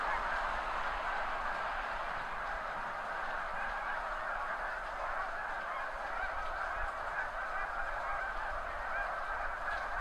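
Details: A huge spring flock of snow geese, spread over hundreds of meters on fields by the seaway at high tide, lifting off together; unbroken chorus of countless overlapping honks forming a thick wall of sound, with a faint low rumble.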